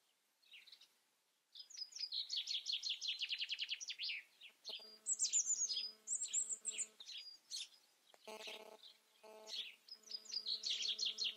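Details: European robin giving high, varied song phrases: a rapid descending series of buzzy notes, then thin whistles and sharp trills. Steady low humming tones run beneath the second half.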